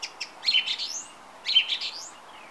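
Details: Song thrush perched on a TV aerial on a summer evening sings a bright, high phrase of chirps ending in a rising, slurred sweep, repeated once a second later.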